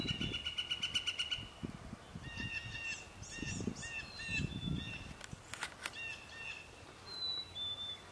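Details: Northern flicker at Vernon Marsh: a fast run of ringing notes for about a second and a half, then several separate harmonic calls. Higher thin whistles of other birds and low thumps are heard in the background.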